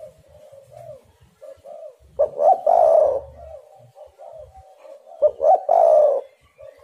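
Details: Spotted dove lure call meant to prompt other doves to call: gentle low coos, then two loud phrases about three seconds apart, each clipped opening notes and a sustained hollow coo, with light rustling beneath.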